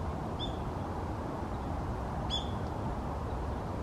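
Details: Warbling (Japanese) white-eye (Zosterops japonicus) calling in Higashi-Takane Forest Park: two thin, high, slightly falling notes about two seconds apart, over a steady low rumble of traffic or wind.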